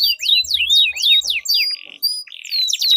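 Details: Canary duel song for coaxing other canaries to sing, loud crossing downslurred whistles from overlapping birds followed by a short buzzy note and a high sweep.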